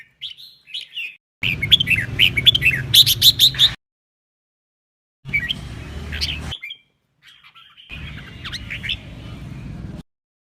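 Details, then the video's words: Duet song of red-whiskered bulbuls for song training and provoking competition; bursts of chirpy whistles including a rapid series of sharp repeated notes, split by silent gaps, over background hum. "CHÀO MÀO | Hót giọng đôi cực hay - luyện giọng kích chim hót đấu"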